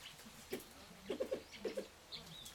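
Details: Mrs. Hume's pheasant (Syrmaticus humiae burmani) at a breeding center in Chiang Mai, Thailand, gives soft, low clucks: a single note, then quick runs of two or three, with a faint thin whistle near the end.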